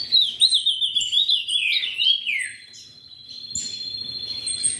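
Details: Bred ultramarine grosbeak delivering a fast, wavering whistled run that slides down, then a long sustained high whistle, ending with a rising note.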